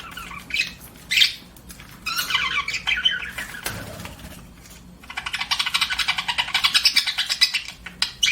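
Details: Budgerigar chatter with a burst of squawky chirps, a quiet pause, then a fast rattling run of evenly pulsed chirps in the last three seconds.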